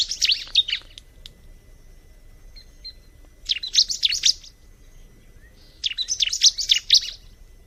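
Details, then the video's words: Bar-winged prinia giving three separate bursts of rapid, high, scratchy twittering, each about a second long and spaced a few seconds apart, with quiet gaps between. "Terapi kicauan alam burung ciblek"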